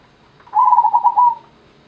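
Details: Zebra dove of the Gendowo Sabdo type giving a single soft, rolling coo of about one second, with a quick trilled, pulsing quality on a steady mid pitch.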